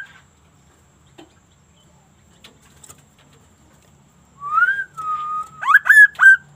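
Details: Sunda laughingthrush, known locally as kaso-kaso, singing in an unusual way: silence, then a drawn-out whistle that rises and slides down into a level tone, followed by three short, strong whistled notes.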